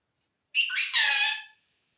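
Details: Talking parrot from Assam producing a single raspy, voice-like utterance of about one second that rises and then levels off into a buzzy tone, with a steady faint high whine in the background.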